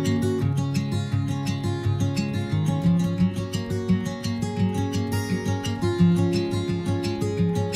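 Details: Strummed acoustic guitar music plays throughout with steady plucked chords, and no animal sound is heard.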